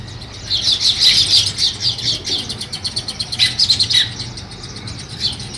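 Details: Rapid, high-pitched chirps from sparrows starting nest building, pulsing in quick irregular series, loudest near the start and around the fourth second, over a faint low hum.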